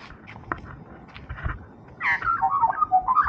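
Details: Australian magpie, one of a friendly pair (grey-backed female, white-backed male), gives a warbling run of fluty, gliding notes in the second half after a quiet, muffled start.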